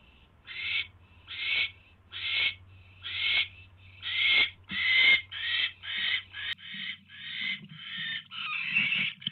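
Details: Owl at night on 24 January 2016 as the male brings his mate a third mouse: a series of harsh, hissing rasps, each about half a second long, repeated roughly once a second, with a low steady hum behind.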